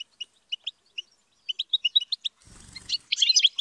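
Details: European goldfinch raised and trained by keepers to sing at high pitch: sparse short chirps, then a brief broadband rustle and a dense burst of bright twittering notes.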